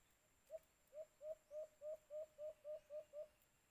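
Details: Low, hollow hoots from a white-eared brown dove (alimokun), about ten in a steady series, each note swelling and rising slightly, recorded around a cage trap.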